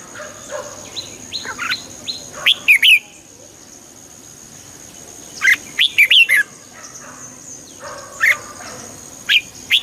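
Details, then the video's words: Red-whiskered bulbul sings to rouse a bird: soft warbled notes lead into loud clusters of sharp, bouncy whistles, followed by scattered single chirps and a faint high hum. "เสียงนกกรงหัวจุก ชัด 100% เปิดต่อ ให้นกคึก"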